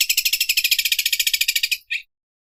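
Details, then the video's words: Greater green leafbird imitating an overlock sewing machine: a fast, high, even rattle of about eleven clipped pulses per second that runs for nearly two seconds, then one short separate note before silence. "CUCAK IJO SUARA MESIN OBRAS"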